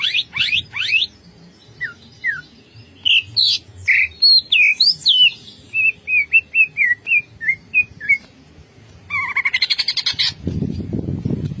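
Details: Greater green leafbird giving a full, varied ngentrok song: sharp downslurred whistles and twisting chirps in quick succession, then a fast buzzy trill, ending in a burst of low rustling noise.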